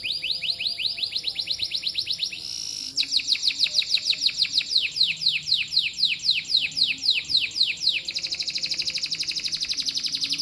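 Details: Canary singing: rapid, high, repeated trills of sweeping notes, changing tempo and tone between phrases, with a brief buzzy passage near the third second.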